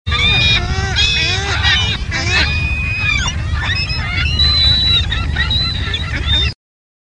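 Ring-billed gulls give a busy stream of harsh, squealing mews and short laughing notes, many overlapping, over low rumbling background noise.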